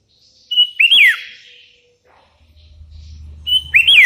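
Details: Sooty-headed bulbul calling rivals as wild bulbuls join in answering; two loud phrases, each a clear whistle sliding into a rising-then-falling slurred note, separated by about three seconds, low rumble in between.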